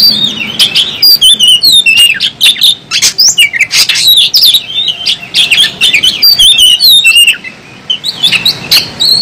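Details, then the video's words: Oriental magpie-robin in an agitated fighting display, tail fanned, with sustained loud song of rapid whistles, squeaks and scratchy notes, then a short quieter gap before the song resumes. "kacer Gacor ngobra, kacer buka ekor, kacer gacor tarung"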